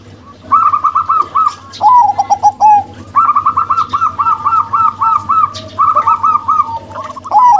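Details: Two zebra doves, one a local female and one a crossbred male, exchange fast staccato cooing. Runs of short, arched notes alternate with lower, drawn-out rolling coos over about eight seconds.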